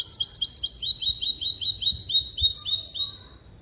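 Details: Goldfinch-canary hybrid, from a male goldfinch and female canary, singing a clean limpio song composition trained on goldfinch base calls in 2021. A continuous, rapid stream of high, sparkling twittered notes repeated several times a second, fading out at the end.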